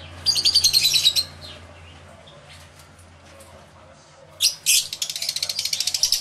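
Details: Lovebirds in an aviary, recorded through two external microphones; a second of fast, buzzy chattering, a lull with faint background calls, then loud shrill chirps and a rapid pulsing twitter.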